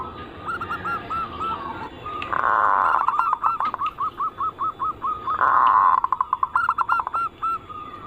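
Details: Zebra dove song, used as a lure to draw song from all kinds of zebra doves, including local, Bangkok and crossbred types: rapid runs of short hooked coos, alternating with denser rolling bursts and sharp clicking notes.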